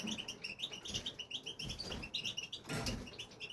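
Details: Singing male European goldfinch in an aviary: rapid, jingling twitters and short chirps pour out in quick phrases, interrupted by a couple of soft bumps from the cage.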